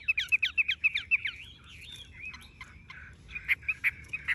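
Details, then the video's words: Caged tame Chinese hwamei with yellow legs and bill: a quick string of repeated rising whistles, then softer wavering notes trailing off against faint background hiss. "Họa mi thuần đét chân mỏ lông lá vàng ươm - Hót như máy"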